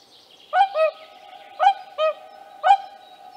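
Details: Whooper swans with young in the wild at Tāši, Latvia, 15 May 2024, giving bright, bugling honks in quick pairs, five notes in about three seconds, ringing and harmonic, above a low continuous hum.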